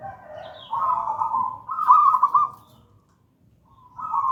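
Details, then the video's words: Zebra dove of local stock, gedang rojo song style, kept as lure and master song: long rolling cooing phrases, a brighter trilled burst in the middle, a short pause, then the coo starting again. "Perkutut lokal gedang rojo gacor merdu"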